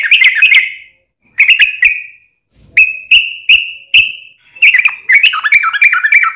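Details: Energetic yellow-vented bulbul song meant to prompt other bulbuls to reply: a bubbly opening phrase, then separate clear whistled notes a second apart, ending in quick warbled chatter.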